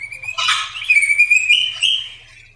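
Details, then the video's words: A Black drongo in full song sings a steady, clear whistle broken by a harsh, scratchy burst, then wavering whistled notes that step slightly higher, over a faint low hum. "Burung srigunting kantil hitam | srigunting bukit gacor | pancingan"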